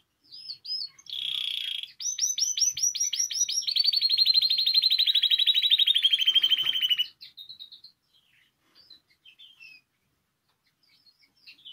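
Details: A canary sings to stimulate other canaries' song: bright, high trills of rapid notes, then a long rolling trill of about three seconds sinking slightly in pitch, ending in scattered soft chirps.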